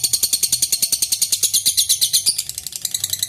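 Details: Lovebird in a long ngekek trill aimed at provoking rivals to sing; rapid shrill chattering pulses at a steady beat, softening slightly near the end.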